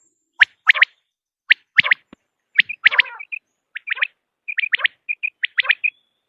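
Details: Common quail, recorded as a hunting lure, giving sharp, snappy notes in small clusters mixed with short, clear, high piping notes, spaced irregularly over a silent background.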